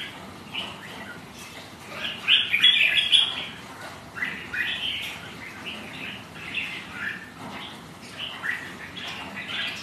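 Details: Rival red-whiskered bulbuls, kept birds, sparring in song on a rainy, windy day; rapid overlapping chirpy whistled notes, busiest and loudest around the middle, continuing in irregular bursts over steady rain-like hiss.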